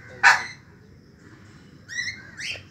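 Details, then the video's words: An Indian peafowl gives a sharp, loud opening note, then two short, ringing, nasal calls close together, over a faint background murmur. "مدهش الطاووس دعوة جميلة -Amazing Peacock"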